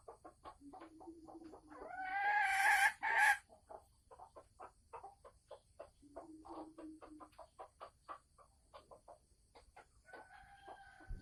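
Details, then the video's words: Caged female Sumatran red junglefowl before egg-laying, 24 December 2020: a brief loud harsh burst amid soft low clucks and many quick clicking ticks, with a faint thin whistle near the end. "Suara ayam hutan merah Sumatera Asli saat mau bertelur"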